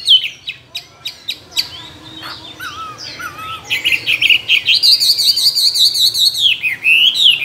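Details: Caged two-year-old Chinese hwamei, a tame bird that mimics many wild calls and is a strong contest singer: spaced clicks, soft looping whistles, then a rich, continuous, high warbled outpouring.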